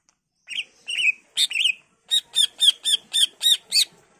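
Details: Greater green leafbird in energetic song used as a lure so other leafbirds reply: a few whistled slurred notes, then a regular run of about seven sharp descending chips.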